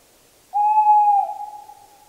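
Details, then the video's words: Tawny owl: one clear, pure, steady hoot of under a second, sliding slightly lower at its end before dissolving into a fading echo. "Canto da Coruja-do-mato (Strix aluco)"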